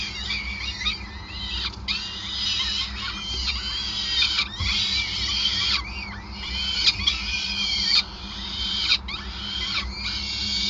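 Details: Peregrine falcon nest at Gasunie, Groningen, recorded 5 May 2020 during extended feeding: bursts of high, wavering squeals and chittering notes, separated by brief clicks and gaps. A constant low drone sits underneath.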